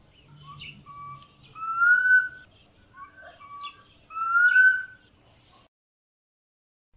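Black Cuckoo giving two mournful whistled phrases, each a couple of short notes ending in a longer slurred whistle, about two and a half seconds apart.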